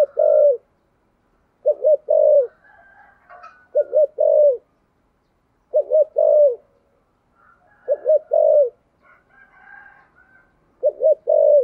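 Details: Insistent, deep-voiced spotted dove cooing, 'thunder voice' style: six low phrases of a stuttered double note and a falling coo, about two seconds apart, with faint higher cooing from another dove.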